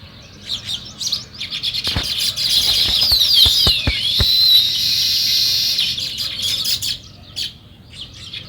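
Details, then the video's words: A flock of sparrows in the morning chatters in rapid overlapping high chirps, with a sliding whistled note and several sharp clicks partway through, fading to scattered tweets. "Natural Sparrow Chirping Sounds"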